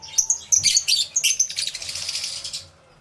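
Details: Lovebirds, many together in an aviary, recorded on a camera with two external microphones: rapid shrill twittering, overlapping calls merging into a buzzy chatter before stopping abruptly, with a faint soft flutter.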